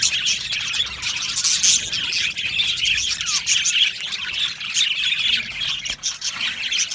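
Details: Crowded aviary of Australian budgerigars: steady high warbling chatter with squawky and squeaky notes mixed in, many birds calling together without pause.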